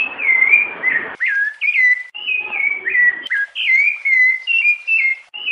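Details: {'caption': "Rufous-bellied thrush, 'piedade' song type with female calls, played to warm up a pet bird. It opens with a long, slightly hissy whistle, then a steady series of short, clear, down-slurred whistled notes."}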